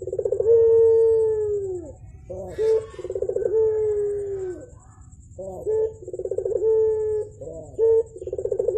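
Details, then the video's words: Javan turtle dove repeating its morning call: long, drawn-out hollow notes that fall at the end, alternating with short loud hoots and fast rolling pulse runs, several phrases in a row over a steady low hum. "BURUNG PUTER GACOR , TEMAN NGOPI PAGI HARI BIKIN ADEM SUASANA"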